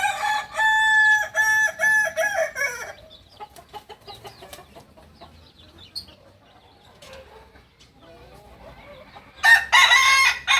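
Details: Crowing of a kukuak balenggek, the singing chicken of Solok in West Sumatra: a loud, harmonic crow made of quick pulsed syllables for about three seconds, quieter clucks and rustling, then a fresh crow starting at the end.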